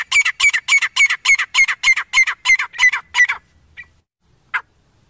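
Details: Grey francolin calling; a fast run of about twelve loud, harsh repeated notes, roughly three to four per second, stopping abruptly, followed by near silence and two isolated short notes.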